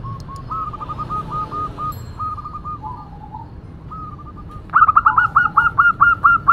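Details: Noisy cooing of a local female zebra dove: quieter rapid trains of short repeated coos, then a loud bright run of evenly spaced, rising-falling notes about three per second, under low rumbling background.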